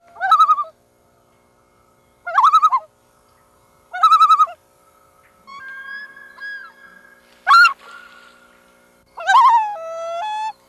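A loon gives three short quavering calls about two seconds apart, then a long, drawn-out wail and more rising, wavering calls over a quiet background.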